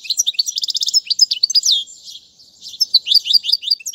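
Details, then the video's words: European goldfinch singing a tutoring song for young birds: a run of rapid repeated notes and sharp downward slurs, easing into softer, scattered chirps toward the end. "أفضل تغريد الحسون"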